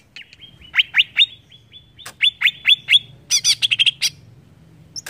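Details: Greater green leafbird singing to provoke rivals: short flat notes, a string of loud downslurred chirps, then a fast high rattling phrase.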